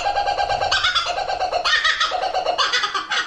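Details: Kookaburra giving its raucous laughing call: rapid, harsh, harmonic chuckling notes in bursts that rise and fall in loud cackling waves, with a brief lower hooting start.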